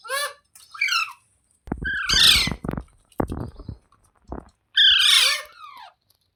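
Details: Green parrot, described as talking: loud harsh squawks with stacked descending notes at the start and near two and five seconds, broken by short low thumps and brief quieter chirps.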